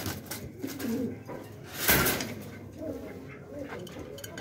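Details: Pet domestic pigeons, including a racer hen held in hand, in a shop with a newly hatched chick and parents possibly preparing to lay eggs: low, soft cooing notes while a man talks over them indoors.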